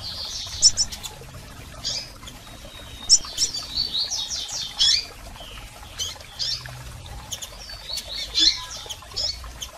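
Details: Calls from female and male double-collared seedeaters to fire up a male: quick series of high chirps and stuttering trills in several bursts with quiet gaps between.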